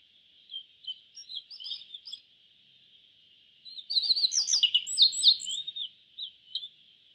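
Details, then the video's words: Yellow bunting singing: a few thin high chirps, then a louder burst of rapid, varied, sliding whistled notes lasting about two seconds. A steady high hiss runs underneath throughout. "Suara Burung YELLOW BUNTING - YELLOW BUNTING Bird Sound"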